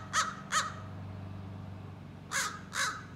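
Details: A juvenile American crow practises its scolding and territorial calls, giving two short rasping caws, a gap of well over a second, then two more, over a faint low background hum.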